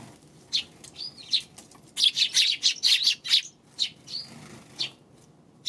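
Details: Sparrows recorded on 2 March, giving bright, dense chirps in quick irregular bursts, busiest between two and three and a half seconds, with softer single chirps before and after.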